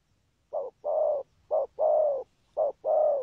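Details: Spotted dove with a patterned song gives three hollow paired coos after a brief silence, each a quick short note and a longer steady one, spaced about one second apart.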